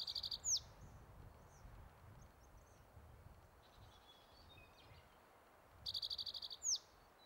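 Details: Spotted towhee male holding territory at Metcalf Wildlife Management Area, Nebraska, May 23, 2023, giving two rapid trilled songs that close with a bright slurred note; faint chips from other birds between songs.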